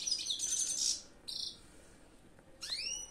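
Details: European goldfinch song: a second of rapid tinkling twitter, then a brief buzzy note, a pause, and a pair of rising swooped whistles.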